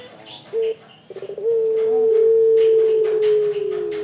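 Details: Ringneck dove giving a short clipped note, a quick rolling stutter, then one long smooth low coo that holds steady and slowly sinks; faint high chirps from small birds sound in the background.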